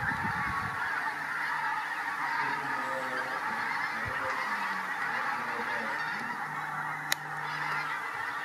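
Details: Pink-footed Geese at WWT Martin Mere, 4 November 2017, stirred up after a Marsh Harrier spooked the flock: low, steady honks sustained under a dense, broad wash of massed flock noise, with a sharp click near the end.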